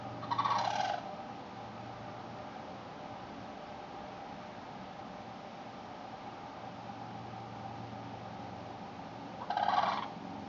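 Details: Two loud rattling crane calls heard in a backyard on September 8, 2013, one at the start and one near the end, separated by a long stretch of steady background hum.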